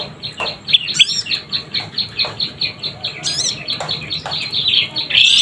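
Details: Young prenjak lumut, a prinia, keeping up a rapid, even stream of short chirps, with occasional higher rising calls overlaid.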